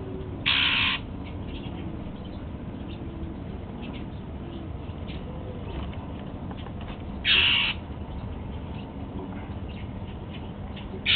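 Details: Golden-fronted Leafbird, a kept male eating apple as breakfast, gives two widely spaced harsh grating calls about seven seconds apart, a third starting at the end, amid faint ticks and low hum.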